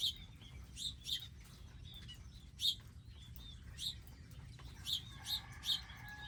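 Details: Wild garden birds visiting feeders stocked with seeds and water. Bright, high tweets sound roughly every second, some doubled. A drawn-out harmonic tone enters near the end, with a low background hum throughout.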